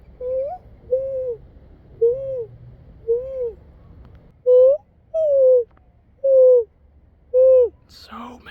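Mourning dove cooing, soft hollow low notes, each slightly arched, repeated about once a second, louder toward the end, with a brief rustle at the close.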